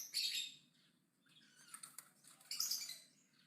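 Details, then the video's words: Javan myna in aggressive, loud chattering song: two harsh, scratchy bursts of broadband noise, one at the start and one near the end, separated by a quieter, rattling stretch. "BURUNG JALAK KEBO AGRESIF NGOCEH KENCENG"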